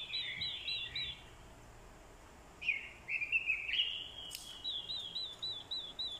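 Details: Orange-headed thrush decoy singing in a fighting-song session where female calls provoke males: a warbled phrase, a pause, then a rich slurred rising-and-falling run followed by a string of quick high chipped notes.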